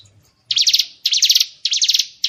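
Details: Harsh rasping bursts from White-rumped shama training material for contest birds, three loud grating buzzes evenly spaced about half a second apart.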